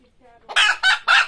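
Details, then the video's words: Chicken squeaking before laying eggs: a faint soft lead-in, then three loud harsh squawks in quick succession. "Chicken screaming to lay eggs | Chickens Squeaking Sound"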